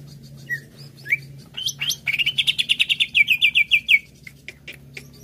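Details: Greater green leafbird, played to stimulate singing, opening with scattered whistled slurs, then a rapid rattling trill of about fifteen buzzy notes, followed by sparse chips; a low hum runs beneath.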